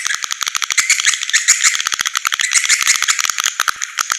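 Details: Swiftlet calls played to attract swiftlets, a continuous rattling twitter of fast, overlapping high chirps with no pauses.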